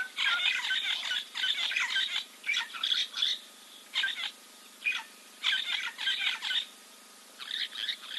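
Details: Live camera at Kings Camp waterhole, Timbavati, Kruger National Park, South Africa, 04.02.2024: a giant kingfisher preening; repeated runs of loud, scratchy, chattering notes in about eight separate bursts.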